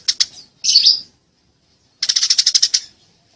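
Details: Eurasian tree sparrows fighting: two short bursts of sharp, high chirps, a quick cluster of rapid notes followed after a pause by a run of about a dozen evenly spaced chips.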